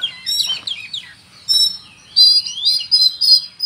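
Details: Oriental magpie-robin song with cricket imitation: twisting warbled whistles, a lone loud ringing chirp, then a cluster of intense, buzzy high chirps close together.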